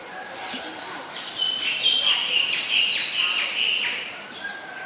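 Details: Common myna (Acridotheres tristis) in Ubon Ratchathani, Thailand, 15 March 2021, giving a varied run of chattering, whistled and gurgling notes, high-pitched and irregular, over about five seconds.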